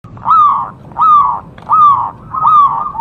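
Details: Local wild zebra dove, singing actively, recorded in a bird-trapping setting: four loud, ringing coo notes near one pitch, each slightly falling, repeated about every three-quarters of a second over a low background rumble.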